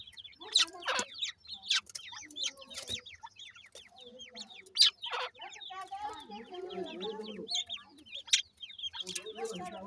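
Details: Grey francolin chicks kept in housing call with thin falling peeps, mixed with loud tapping or scratching clicks. A lower warbling chatter rises near the middle.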